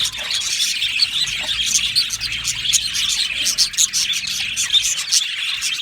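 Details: Aviary budgie colony singing and chirping, overlapping bright chirps and short whistled notes repeated amid constant flock chatter.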